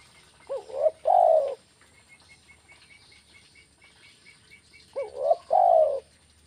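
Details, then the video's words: Spotted dove in the kuk 1 style, two cooing phrases, each a short rising hooked note then a longer, louder, slightly wavering coo, about four seconds apart; faint high chirps from other birds between phrases. "SUARA BURUNG TEKUKUR KUK 1"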